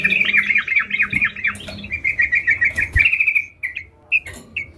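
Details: Sooty-headed bulbul in vigorous song: a rapid rolling chatter of repeated notes that smooths into an even trill, followed by a few separate short chirps.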